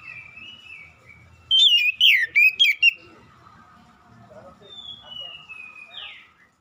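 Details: Oriental magpie-robin lure song meant to prompt an immediate answer. A soft whistle leads in to a loud run of four or five sweet, twisting whistled notes. Quieter, long descending whistles and a short buzzy slide follow.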